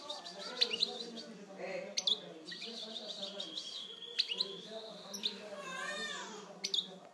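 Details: A European goldfinch sings high, tinkling twitters, a drawn-out thin whistle and quick rising-and-falling trills, over a steady low murmur of voices.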